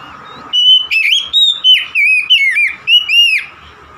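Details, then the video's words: Caged oriental magpie-robin singing a fast string of clear whistled notes, each a short arch or slur, varied in pitch, roughly three or four per second, with a quiet hum behind. "KACER SETRES MACET BUNYI LANGSUNG GACOR"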